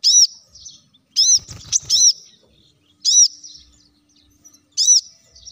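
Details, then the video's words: Plain-throated sunbird, a lure recording for prompting leafbirds to sing. Sharp, arched, high notes are spaced about a second apart, with a brief clicking rattle between two of them. "kolibri kelapa | manggar | wiceh | masteran untuk burung ijoan agar cepat bunyi gacor"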